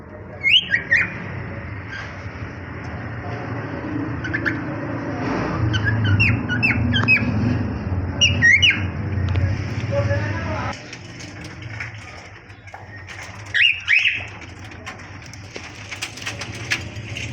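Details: Cockatiels (Nymphicus hollandicus) in an aviary breeding colony giving harsh, squawking contact calls in short clustered bursts over a low rumbling background.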